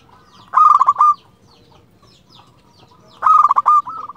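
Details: Zebra dove, a local bird, sings to provoke other zebra doves into song: two loud, quick, rolling cooing phrases about half a second long, separated by a quiet pause of over two seconds.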